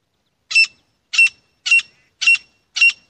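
A grey francolin gives five loud, harsh, high notes, each short and rasping, repeated about twice a second in a steady series.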